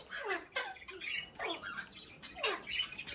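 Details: Pet Indian ringneck parakeet, described as talking, makes a few harsh, swooping squawk-like syllables in clustered bursts, each sliding down in pitch, with short breaks between.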